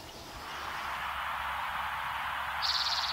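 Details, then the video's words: A Downy Woodpecker in spring in Vancouver gives a quick run of high, sharp notes near the end, over a steady background hiss. "I open the video with the sound of a downy woodpecker"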